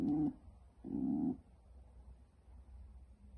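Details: A pet pigeon hen guarding her nest gives two short, low, hoarse grunts about a second apart, then falls quiet with faint background hum.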